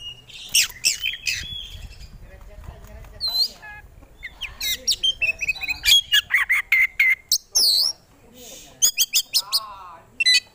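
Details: Caged oriental magpie-robin (kacer) in a long, varied song: harsh squawky notes, sharp high chips and fast clicking runs, mixed with brief whistled slurs in a busy, irregular stream.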